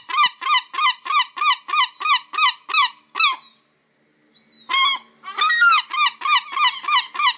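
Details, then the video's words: Herring gull giving loud, nasal, yelping calls in a fast series of about three per second, then a brief pause before a fresh, more excited burst. "Herring Gull Sound Effect"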